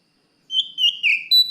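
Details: Kacer, the oriental magpie-robin, calling out to a rival with pure drawn-out whistles that slide lower, followed by a brief higher note.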